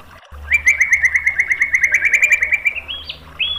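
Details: White-rumped shama song used to train and lure birds: a long, fast, even trill of repeated notes lasting over two seconds, ending in a few higher rising whistles.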